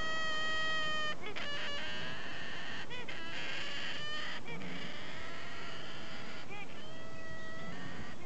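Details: Hybrid cockatoo, a Solomons cockatoo crossed with a little corella, recorded 1 August 2015. Held, harmonic-rich tones are broken by short, harsh, screechy bursts that come in quick clusters around the middle. Background noise is steady.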